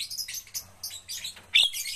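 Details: Javan myna in training to sing more often, giving a run of scratchy, hissing high chirps in short clustered bursts, ending with a louder squeaky note over a faint low hum.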